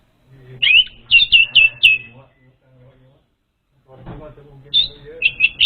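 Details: Orange-headed thrush song used as a lure for an untrained bird: bursts of bright chirped notes around 3-4k, a quiet gap with low hum, then more sharp repeated phrases.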